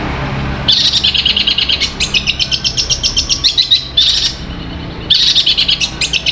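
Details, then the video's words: Kept long-tailed shrike of Sapudi type, said to have learned sounds like kuntilanak, church and thunder, sings fast, high chattering phrases of sharp notes in rapid, varied bursts suggesting mimicry. "suara kuntilanak nyambung gereja petir materi mewah gacor"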